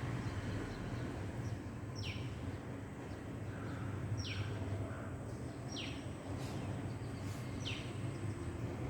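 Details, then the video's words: Hummingbirds calling outdoors: thin, high notes that slide sharply downward, four of them spaced about two seconds apart, over a steady low rumble of background noise. "Did you listen to the sound of hummingbirds"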